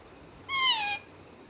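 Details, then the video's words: Pet parrot giving one half-second nasal squawk, slightly falling in pitch, with strong overtones, against faint background hiss. "mithu talking"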